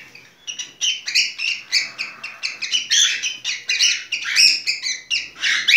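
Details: Cockatiel mating song as a rapid, continuous run of high chirping notes, several per second, rising slightly in loudness toward the end.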